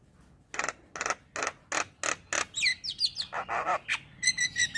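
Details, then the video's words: Male Javan myna song to stir other mynas into calling: regular loud rasping bursts about three per second, then a tangle of quick looping whistles and a closing series of short whistled pips. "SuaRA Jalak Kebo Jantan Bikin Burung Jalak Yang Dengar Langsung Ikut Bunyi"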